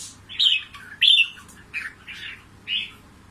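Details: Red-whiskered bulbul, a wild-trapped fighting bird from Cao Bằng, Vietnam, sings short warbled, slurred phrases separated by brief pauses, with a low electrical hum underneath.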